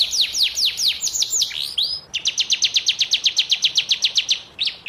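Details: Canary singing during moult: a run of sweeping downward notes, a brief flat whistle, then a steady, rapid trill of about twenty repeated notes.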